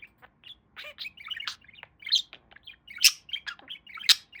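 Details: Pet budgerigar, a male talking parakeet, chattering busily: a dense mix of warbled chirps, squeaky notes and sharp high clicks with a faint low background hum.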